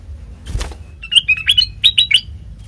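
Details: Sooty-headed bulbul song used to lure other birds: a soft thump, then a short burst of clear, bouncing chirped notes in two quick groups.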